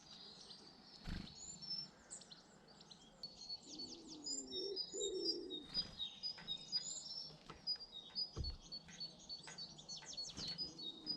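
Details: British garden birds: busy, high-pitched twittering and chirping with quick repeated notes, a brief low cooing passage midway, and occasional clicks and taps in the background.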